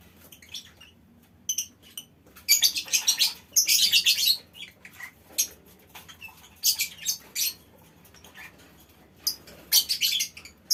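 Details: Lovebirds calling as a colony in a mini aviary, sound meant to make other birds join in long ngekek; repeated bursts of dense, shrill, rasping chatter lasting one to two seconds, separated by brief pauses.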